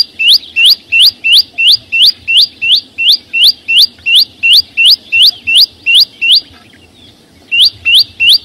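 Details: Green flowerpecker singing in the wild with no background noise: a long, steady run of high, rising whistled notes, about three per second, a pause of about a second, then two more notes.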